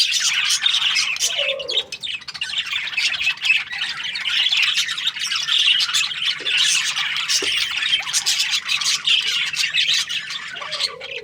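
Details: Breeding-pair budgerigars keep up a continuous twittering chorus of rapid, high chirps, with a few lower squawks dropping in near the start and end.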